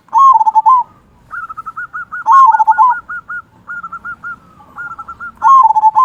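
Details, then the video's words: Zebra dove of a local Indonesian line with a big 'kung' voice, used as a master bird to prompt others to sing: loud, rolling, pulsing coo phrases alternating with runs of quick, higher, evenly spaced coos. "Perkutut Lokal Gacor Suara Kung Besar Pancingan Burung Perkutut Agar Bunyi"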